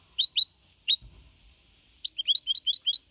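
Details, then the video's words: Goldfinch hybrid, 4.5 months old, singing clean in the Malaga copy style, recorded 2021: a few bright, rising chirps, a short pause with a soft low thump, then a quick run of high sliding notes. "Mixto de Jilguero Cantando Limpio (Copia Malaga)"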